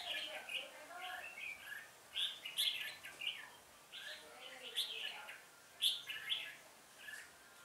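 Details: Decoy red-whiskered bulbul singing at a trapping site on 1 October 2018 to lure wild rivals: short warbled bursts of bright notes, each phrase a few quick syllables, coming in irregular clusters.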